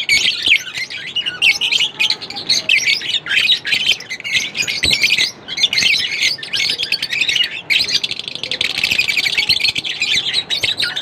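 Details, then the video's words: Continuous lovebird chirping, a busy stream of shrill, scratchy chirps and chatter running almost unbroken, with a couple of brief dips in loudness. "lovebirds chirping sound Non-Stop"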